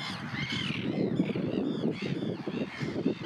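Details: Russian common tern calls: a few raspy, arching notes with strong harmonics, the first loudest, set against continuous low-pitched wind or water noise.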